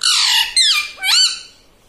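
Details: Indoor pet parrot (tota), said to say 'Mitthu', 'Papa' and 'Mummy', gives loud, harsh, rasping squawks, three quick bursts that dip then rise before fading out.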